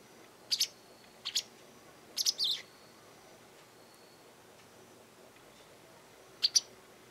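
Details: Garden-side Japanese wagtail, vocal and perhaps threatening or asserting territory, utters scratchy high double notes: pairs near the start, a drawn-out buzzy group around two seconds, then a final pair after a long pause.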